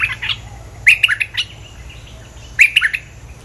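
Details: Bulbul song played as a lure recording for trapping birds; loud bright bursts of chattering, whistled notes come in two quick phrases with a short pause between, on a quiet background.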